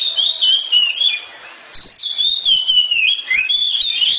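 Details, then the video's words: Domestic oriental magpie-robin in loud song. A run of whistled, slurred phrases is followed by a brief lull, then another fast sequence of shifting whistles and chips. "KACER RUMAHAN KICAUNYA NYARING"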